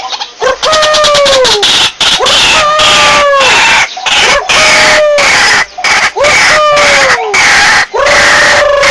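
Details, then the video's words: White-breasted waterhen call used as a lure: loud harsh rhythmic pulses mixed with repeated clear whistled notes that slide downward, about every second. "SUARA BURUNG RUAK RUAK PIKAT"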